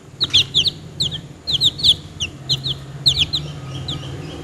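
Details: Domestic chicks peeping in clusters of short, high, downward-sliding notes, several quick peeps together, then pauses, with a low steady hum underneath.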